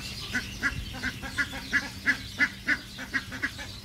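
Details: Egyptian geese giving a steady run of harsh, honking calls, about three each second, with even loudness and spacing, over a low constant hum.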